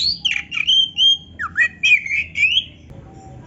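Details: Caged Oriental magpie-robin song meant to spur lazy birds to sing: clear whistled notes and buzzy slurred phrases, some dipping low then rising, followed by near silence at the end.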